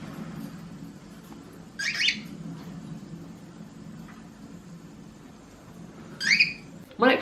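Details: A pet cockatiel gives loud, bright, rising flock calls, three shrill whistled notes spaced a few seconds apart; a contact call both sexes use to check in with flockmates or their owner.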